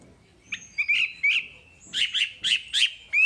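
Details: Short burst of wambi song recorded as masteran material: a thin sustained whistle under a series of buzzy, scratchy chirps grouped in twos and threes, ending on a rising note.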